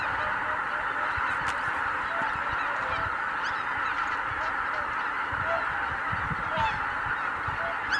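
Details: Mass take-off of a Greater white-fronted goose flock at Kabukuri-numa, Japan, 12 January 2019. Constant crowded honking throughout, with higher yelping notes breaking through at irregular intervals.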